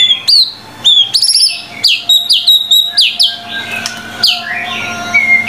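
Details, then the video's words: Lively white-rumped shama song from a 25-phrase tutor set: crisp repeated upswept whistles and chirps in quick succession, finishing with a falling whistle. "MURAI BATU GACOR FULL 25 MATERI MASTERAN MEWAH 100% MASTERAN MURAI BATU PALING AMPUH GACOR BANGET"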